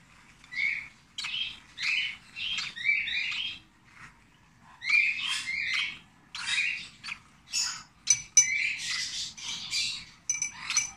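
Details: Rosy-faced lovebird chick, 26 days old, being hand-fed, gives rapid, raspy chittering and squeaky bursts, each a second or two long with brief pauses, high-pitched and insistent.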